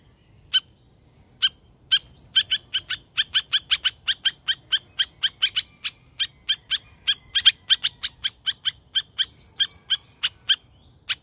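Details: Long run of bright clicking notes from a tame laughingthrush: a few isolated ticks at first, then an even, rapid series about three per second, with faint tonal phrases woven between.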